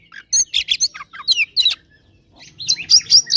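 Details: Oriental magpie-robin singing in a fighting mood, used to provoke rivals: bursts of loud, varied whistles and harsh chattering notes, a pause, then rapid high whistled phrases; faint low hum in the background.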